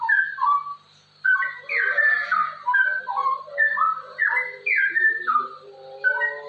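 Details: Continuous ropel warbling from a straw-headed bulbul, played to coax other bulbuls to sing: mellow gurgling whistles tumbling downward in rapid runs after a brief pause near the start.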